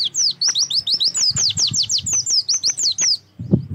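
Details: Oriental white-eye singing for use as a lure to start other birds: continuous rapid, high, slurred whistled notes, ending with a soft low thump.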